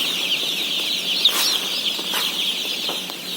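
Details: Day-old chicken chicks feeding, 17,000 head: loud continuous peeping chorus, one chick's louder peep standing out, plus a couple of short clattering bursts.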